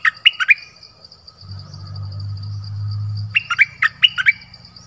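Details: Mate call of a Dok Taeng bird used as a decoy in the forest on 13 January 2021: three crisp chirps, a lull filled by a low droning hum, then six more quick chirps, all over a high, steady whine.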